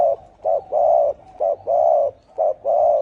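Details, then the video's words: Spotted dove in 'thổ ồm' deep-voice cooing, used to excite wild doves; a brisk series of short-long low coos, evenly spaced, strong and clean. "Tiếng chim cu gáy thổ ồm kích thổ đồng siêu tốc lên cực nhanh cực hay"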